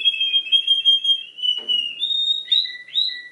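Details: Canary said to imitate other birds: a sustained whistled warble that slowly falls, a brief click, then higher clear notes and short two-part whistled phrases.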